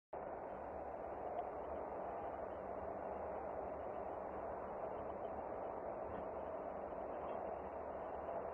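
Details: Constant dull rushing noise, like wind or distant machinery, fills the recording and no animal calls.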